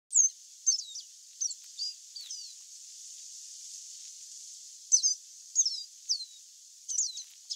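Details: Chestnut seedeater (Sporophila cinnamomea) singing free in the wild: high, thin whistled and slurred notes between 4 and 8k, given in short bursts of several quick phrases with a pause of about two seconds mid-sequence, over faint steady hiss.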